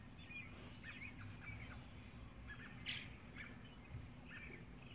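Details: Purple martin pair, a subadult one-year-old male with its mate, nesting alone in a 16-compartment house and returning to roost at dusk after a day of feeding; short scattered chirps over a steady low rumble.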